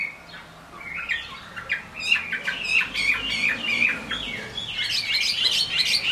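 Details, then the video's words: Chinese hwamei in the rain, its varied whistled song somewhat softer here, quick warbling phrases against a hissing background. "Họa mi hót trong mưa"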